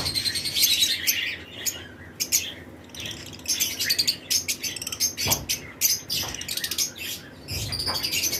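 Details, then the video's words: Breeding-season lovebird pairs in a flight colony chatter in rapid bursts of sharp, high chirps and short squawks, rising and falling in loudness, with wing flutters and other birds around them. "Lovebirds Chirping Sound"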